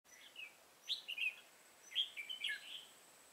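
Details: Red-whiskered bulbul used as a decoy in a trap, recorded 24 September 2018: two short bursts of bright, warbled chirping notes about a second apart, rising and falling, over a quiet background with a faint high steady tone.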